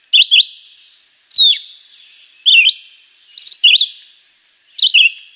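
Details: Song of a Chivi vireo, five brief squeaky, twisting phrases delivered at a steady pace of roughly one per second, each phrase a quick high slur or zigzag, with no other sounds.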